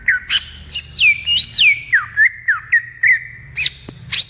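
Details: Greater green leafbird in the wild delivering a fast string of looping, up-and-down whistled slurs over a sustained tone, with about two notes per second and a sharp click near the end.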